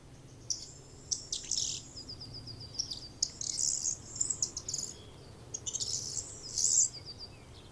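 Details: Corn Bunting singing just after sunrise on a cold early morning near an observation point in the Havelland great bustard reserve, Germany: high, dry ticking notes speeding into a jingling, glassy flourish like shaken keys, repeated several times in quick succession.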